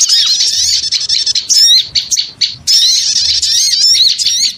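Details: Noisy chorus of small birds used as a lure sound: dense, overlapping high twittering and squeaky chirps in two loud bursts separated by a brief dip near the middle.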